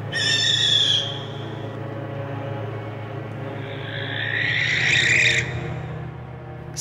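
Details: A Barn Owl, a species heard in church-tower attics, ruins, barns and windmills close to people, gives two long, harsh, hissing screeches about four seconds apart over a low, droning music bed.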